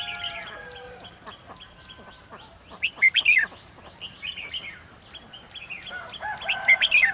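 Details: Decoy red-whiskered bulbul singing at a trap set to catch a wild bird, 28 June 2020: bright, warbled bursts of whistles around three seconds and near the end, over soft chirps, faint steady tones and constant high hiss.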